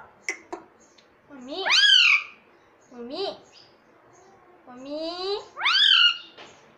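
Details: Talking Indian ringneck parakeet copying "mummy": two-part rising harmonic phrases, a short lower note then a loud upswept one, repeated twice with brief clicks between them, indoors.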